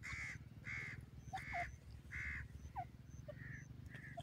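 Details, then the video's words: Forest-dwelling grey francolin in its first days calling with four strong, rasping, evenly paced notes that then soften into fainter hoarse calls, while small birds chirp sharply and a low hum continues underneath. "dakhni teetar jungal mn,partridge awaz forest in the first days"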